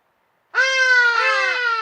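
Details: A hadada ibis utters a loud, strident call, a sustained harsh nasal note with a brief dip partway through, still sounding when cut off.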